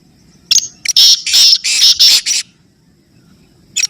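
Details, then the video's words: Black francolin calling: a rapid series of loud, harsh, high-pitched bursts, about six in quick succession over two seconds, then silence and one last short burst. "Black Teetar Voice For Speed & Fearless Calling"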